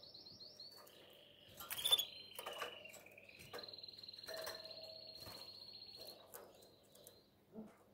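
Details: Canary singing in breeding condition to attract a female: quiet, sustained high trills, with one long even roll held for about two seconds and some sharper notes, over a low background hum and clicks.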